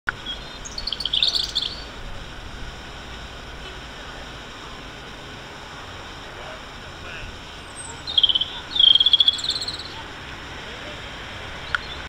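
A European robin gives two short bursts of high, thin twittering notes several seconds apart, over a steady background hiss.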